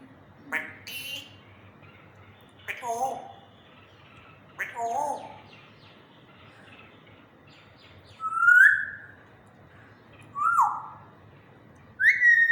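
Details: Pet African grey parrot in a happy mood, talking in a slow voice: several short speech-like phrases early on, then three loud, clear whistled notes that sweep upward, each a couple of seconds apart, over a quiet background.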